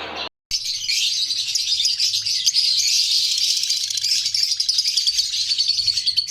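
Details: Parrots kept as a breeding male and female pair, with albino cockatiels also present, giving a steady, fast stream of high, scratchy chirps, about three or four per second, over a faint low hum.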